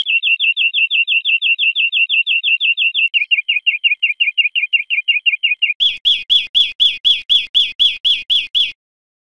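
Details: Greenfinch song recorded for training cage birds: rapid repeated chirps, a steady lower-pitched trill, and then a harsher, buzzier series of ringing notes at the end. There is no background noise.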